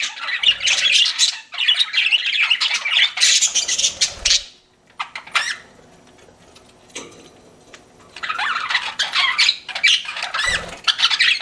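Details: Pet budgies chatter in loud warbling bursts that stop for several seconds of near quiet with a few clicks, then the squawky twittering resumes.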